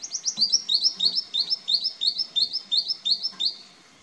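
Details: An eastern spinebill (Acanthorhynchus tenuirostris) in an Australian backyard garden on 14 April 2018 gives a fast run of high, sharp piping notes, about three each second, keeping a steady pitch before trailing off.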